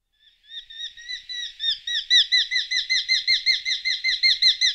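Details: Eurasian hobby giving a steady series of sharp, slightly rising notes, about three per second, building in loudness, with no other clear sounds.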